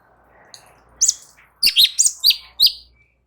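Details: Light-vented bulbul song used as master audio to draw replies from other birds: a soft opening chirp, then five loud, sharp, down-slurred notes in quick succession over a faint low hum.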